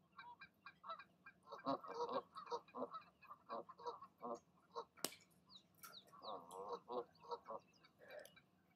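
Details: Goose parents calling in the evening as they urge their goslings to leap from the nest; a steady run of nasal, harmonic honks and grunts of varying loudness, with thin, high chirps from other birds in the background.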